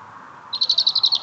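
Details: Small singer greeting its listener after work with a brief, rapid trill of evenly spaced high notes, roughly ten pulses in under a second.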